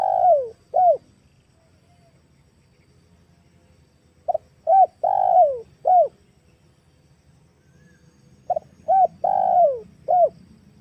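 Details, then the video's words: Female spotted dove calling, a recording used as a lure for tame and wild doves. Three soft cooing phrases come about four seconds apart. Each has short low coos around a longer, downward-sliding middle note, over a faint low hum. "SUARA/MP3 TEKUKUR BETINA//TEKUKUR PIKAT"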